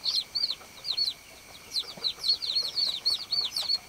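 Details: Baby chicks give loud, piercing, arched peeps in quick, uneven succession, several birds overlapping, with soft rustling between calls.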